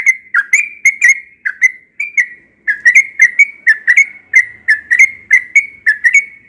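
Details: A yellow-vented bulbul, a bird that often sings in the morning, delivers a steady run of bright, short whistled notes with sharp clicky onsets, repeated about three times a second with one brief pause.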